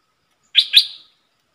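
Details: Red-whiskered bulbul, a decoy bird singing a three-part song with rapid flourishes, played for young birds to copy and to lure wild birds: two quick bright whistled notes in close succession, then silence.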